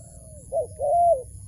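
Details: A wild dove lured into a trap calls with a soft descending coo, followed by a brief accented note and a long, level, mellow hoot that tails off downward. Quiet low background hum.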